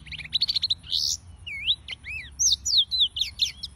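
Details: Yellow-fronted canary singing a lively phrase. It opens with rapid dry ticking notes, then moves into looping whistled slurs and quick up-and-down chirps, bright and very high.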